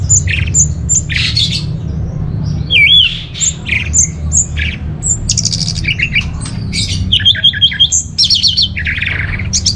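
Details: Orange-headed thrush song, used to lure and train caged birds: varied squeaks, harsh buzzy notes and fast chattering trills, growing denser toward the end, with background hum.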